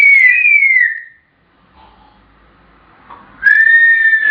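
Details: African grey parrots at home, known as chatterboxes: a clear whistled note slides gently downward, a pause with faint murmuring, then a sustained whistled tone with overtones returns at the end.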